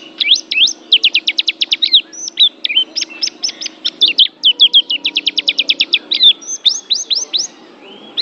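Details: Oriental white-eye, a Banten pleci described as an Asian champion, singing a long rapid chattering song of high twittering notes, many quick repeated chirps in fast bursts, with brief rising whistles near the end and faint low background hum.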